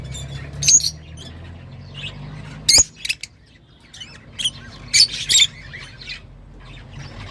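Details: Lovebird giving a few short, shrill high squawks in scattered bursts near 1, 3 and 5 seconds, with quiet gaps and a low steady hum between them.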